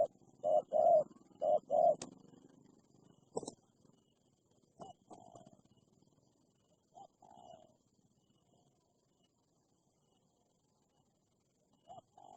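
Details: Wild spotted dove, said to be very aggressive, replying to a decoy bird; four loud low coos open, then scattered fainter coos and clicks fade into near silence.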